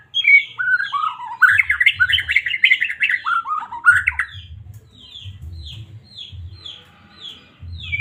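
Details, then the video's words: Medan white-rumped shama in song to rouse a caged bird: a long loud cascade of rapid rising and falling whistles lasting about four seconds, followed by sparse short high downslurred notes every half second. "Murai batu cocok buat pancingan burung anda"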